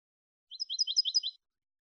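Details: One brief phrase of clean Malagueño goldfinch song for training young goldfinches: under a second of quick alternating high and low twittered notes, crisp and evenly spaced, against complete silence.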